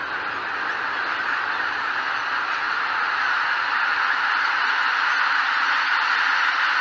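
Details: Greater white-fronted geese leaving their roost at Miyajima-numa marsh in 2023: a dense, continuous roar of countless overlapping calls merging into a steady wash of sound, with no single honk standing out.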